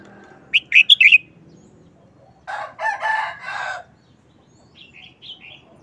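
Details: Caged red-whiskered bulbul showing a short, quick wild-style song phrase: a burst of four or five bright whistled notes, then a long harsh rasping burst from another source, and faint soft warbled notes at the end.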